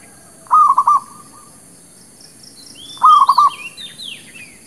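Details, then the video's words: Zebra dove lure song for trapping and for newly kept birds: two stuttering cooing phrases of rapid pulses, about two and a half seconds apart, followed by thin high chirps and sweeping whistles from other birds. "SUARA PANCINGAN MERBUK KAMPUNG / PERKUTUT LOKAL...UNTUK PIKAT DAN BURUNG BARU"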